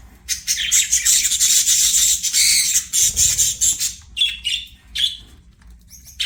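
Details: Budgie chatter: a long continuous stretch of dense buzzy warbling and squeaks, then shorter separate chirps toward the end.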